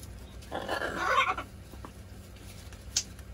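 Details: Macaw at play with its owner lets out one drawn-out, grating screech of nearly a second, followed by a short sharp click near the end in a small room.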